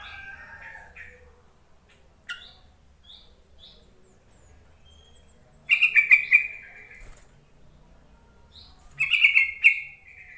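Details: Yellow-vented bulbul call meant to lure quiet bulbuls into song: soft short notes early on, then two loud bubbly chattering bursts near the end.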